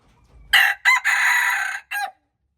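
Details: Red junglefowl crowing, recorded March 2, 2025: a loud harsh four-part crow, with two short bursts, a drawn-out strained middle note and a brief clipped final note, all within about one and a half seconds, against a quiet background.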